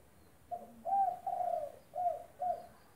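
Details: Actively singing spotted dove used as a master recording for another dove that has gone silent: four soft, hollow coos, the second and third notes longer and drawn out, the last two short, in a steady phrase.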